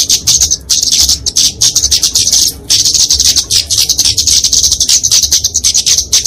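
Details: Fighting song of a kemade flowerpecker, used to train and lure songbirds: continuous high, fast, sibilant twittering with rapid ticks and a couple of brief pauses.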